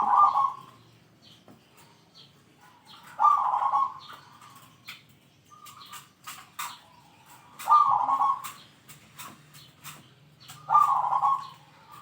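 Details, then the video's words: Zebra dove singing eagerly with a big 'kung' voice, described as skilled at calling rivals and used for tutoring: short, rich burry coos, each under a second, repeated roughly every three to four seconds, with faint clicks between them. "PERKUTUT GACOR SUARA KUNG BESAR ,,, PALING PANDAI MEMANGGIL LAWAN"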